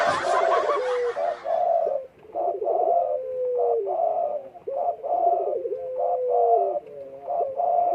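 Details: Spotted dove in breeding condition cooing steadily: after a brief noisy burst, low mellow coos repeat in bursts, each with a tremulous opening, a long gliding note that sinks at the end, and short throbbing phrases.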